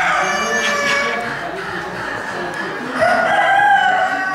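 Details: Cuckoo-coloured Crèvecœur hens and roosters at a Normandy poultry championship in the Gournay-en-Bray market hall, December 2016; faint crowing early on, then a loud, sustained crow in the last second and a half, with hall noise and voices underneath.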